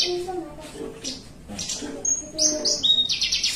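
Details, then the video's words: A kept Javan bushlark sitting relaxed gives 'melung panjang' song: muffled notes and low voices at first, then a run of high, clear whistles and buzzy trilled bursts in the second half. "BRANJANGAN MELUNG PANJANG"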